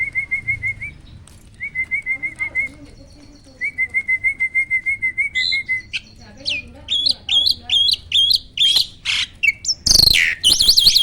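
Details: Black-winged starling song meant to get lazy kept starlings singing: long rippling wavy trills, then a fast series of sharp chips and flicked whistles ending in a harsh burst and zigzag notes.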